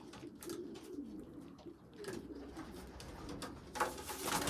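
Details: A poorly developed young pigeon feeding bigger youngsters; low wavering squeaky calls in short bursts, followed by a louder rustling scuffle at the end.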